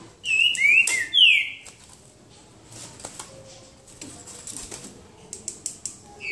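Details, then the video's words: A green-winged saltator in a song contest gives one loud, clear whistled phrase of slurred rising and falling notes, followed by scattered soft clicks and taps. "Trinca ferro boca mole disputa?"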